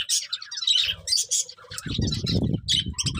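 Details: Budgerigars give short high chirps and warbles, joined midway by louder, lower rough squawking and scratchy noise.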